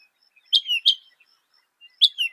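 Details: Northern mockingbird mimicking other birds with a few sharp high notes sliding downward, two close together then a pause and another, faint thin tone in background.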